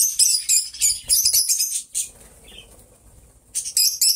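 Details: Two companion lovebirds singing and talking: fast high squeaky chatter in clustered bursts, a quieter stretch with faint rustling, then chattering resumes.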